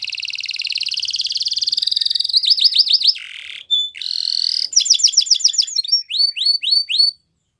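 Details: A yellow canary sings in the morning, a rapid rolling trill, then bursts of rising whistles, a low buzzy rattle, a short pure note, a rising buzzy trill and spaced sweeping chirps before silence.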